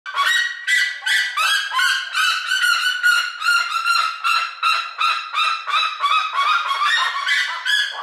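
A seriema gives a loud, harsh run of yelping, honk-like notes, about two or three each second, rich and ringing, with nothing else audible.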